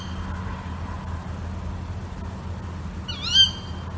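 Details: A female tawny owl (Strix aluco) calling at night gives one sharp, shrill "kewick" call near the end, over a steady low hum and faint background noise.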